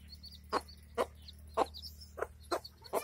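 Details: Hen with chicks in a village; six spaced, low clucks about two per second, with soft, high chick peeps between them.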